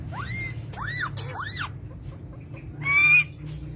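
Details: Pet green parrots giving three arched, rising-then-falling calls, a pause with faint squeaks, then one loud raspy squawk.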